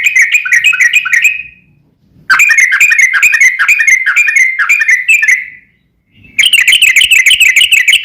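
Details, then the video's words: Lure recording of an actively singing sooty-headed bulbul in long ropel style, meant to make caged birds reply: long runs of rapid, chattering whistled notes, broken by two short silences, ending in a steady fast trill. "KICAU SUARA trucukan gacor ROPEL PANJANG pancingan trucukan agar bunyi MENJADIKAN trucuk gacor NYAUT"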